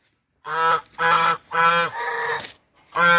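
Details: Hungry brown Chinese geese (swan goose, Anser cygnoides) give four loud, nasal, buzzy honks about half a second apart, with a brief pause before the last.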